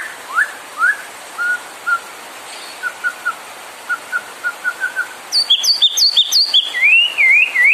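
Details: ['White-rumped shama singing to stir other birds into song: spaced soft rising whistles and short paired notes, then a sudden burst of loud high chips and looping wavering whistles.']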